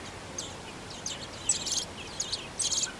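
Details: Common blackbird nestlings on day 10, reared in a flower box, call for their parents with thin, high, scratchy chirps in quick bursts, several each second, over a faint steady hiss.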